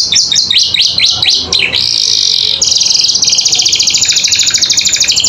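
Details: Training song of a captive canary: quick falling chirps lead into a steady high buzzy note, then a long fast pulsing trill held for several seconds.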